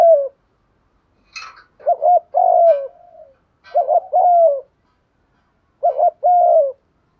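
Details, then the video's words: Spotted dove decoy call for attracting doves: three evenly paced phrases, each a short doubled note then a longer gently falling coo, with a brief high chip and soft trailing notes between. "tiếng chim cu gáy kích bổi nhanh nổi rất hiệu quả/ tiếng chim cu gáy mồi gáy giọng hay nhất"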